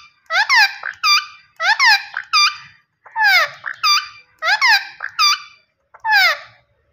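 A rose-ringed parakeet gives loud, harsh, ringing squawks in paired bursts, each one bending downward, about every second and a half in a quiet room.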